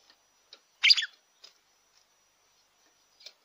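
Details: A single loud, rich, warbled phrase from a red-cowled cardinal, sung to stimulate a captive bird, surrounded by faint short ticks and chips.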